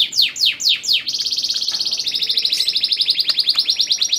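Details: Singing male canary used to bring hens in breeding condition to mating; four loud descending swept notes give way to a rapid, even, high buzzy trill repeated many times a second.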